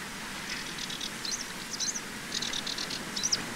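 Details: Common linnet in spring, male and female, at a regional nature reserve in Pays de la Loire on 11 April 2023: soft, scattered twittering with quick chirps and a few upslurred notes over steady low background noise.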